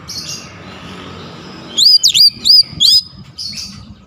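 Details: Sharp, clear oriental magpie-robin song used to rouse lazy birds: after a hushed start, four high looping whistled notes come in quick succession, followed by a softer faint chirp and a final short note.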